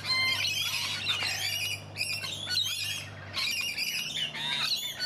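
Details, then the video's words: Several rainbow lorikeets in a garden in Donvale, Australia, screech and chatter in harsh, shrill, overlapping bursts almost continuously, with a low steady hum underneath. "Australian Rainbow Lorikeets"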